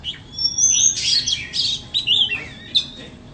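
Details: A white-rumped shama gives a short lively song: a long high thin whistle, then crowded bright chirps and slurred notes, ending with a few brief rising whistles.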